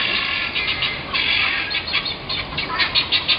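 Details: Guineafowl from across the road, recorded from a front porch in February or March 2010 and considered noise pollution: harsh, grating calls repeated in quick rhythmic bursts, growing more pulsed toward the end.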